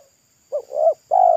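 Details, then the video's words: Wild local spotted dove singing beside a road, its voice thick and loud in a pesom-like style: a short low coo, a drawn-out wavering coo, then a long steady coo, with a faint high steady hum throughout. "TEKUKUR LOKAL RASA PESOM"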